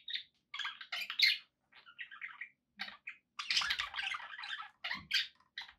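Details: Budgies kept as pets chatter in dense scratchy warbles and squeaky chirps, with occasional faint low thumps in the background.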